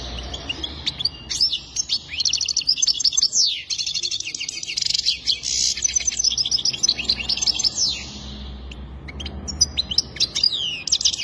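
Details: Goldfinch singing a long, fast, high-pitched twittering song of trills, buzzy rattles and quick falling slurred notes, broken by short gaps, over quiet low background hum.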